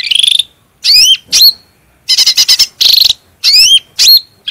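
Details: Cucak rante bulbul in vigorous song for a bird-training master: a trilled buzz, upslurred hooked whistles, then a cluster of stuttering harsh bursts and more whistles.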